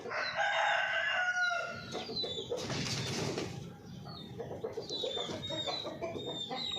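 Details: Golden Misri chicken, an Indian breed, with a long harmonic crow in the first two seconds followed by clucking and other fowl calls amid farmyard noise.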